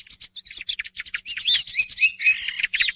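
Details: Thrush song used as a morning hunting lure: rapid, varied high chirps and twittering notes, some short whistled slurs, delivered in a dense continuous stream without pause.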